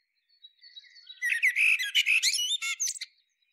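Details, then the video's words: After soft, thin lead-in notes, a Common Blackbird bursts into one continuous phrase of warbling whistles overlaid with bright, squeaky high twitters that fade abruptly. "What does blackbird sound like? Common blackbird call."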